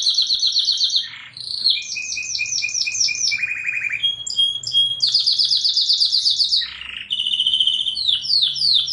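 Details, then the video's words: Tutor song of a canary meant to teach juveniles: varied sequence of rapid repeated chirps, low buzzy rolls and high trills changing pitch every second or two, with brief pauses. "KENARI LANGSUNG NGEPLONG!!! MASTERANNYA AMPUH KENARI JUNIOR NGERIWIK KERAS"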